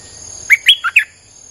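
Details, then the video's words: Streak-eared bulbul, singing in a continuous style used to draw in wild birds: four crisp, quickly repeated chirped notes with a lower third note, followed by quiet. "Suara pikat merbah lekir"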